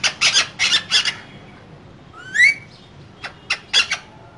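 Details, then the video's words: Caged green parrots, two of them, said to be talking: four loud rasping squawks open, then one bright whistled upslur and a few short sharp chips. "Two Green Cute Parrots Talking In Cage"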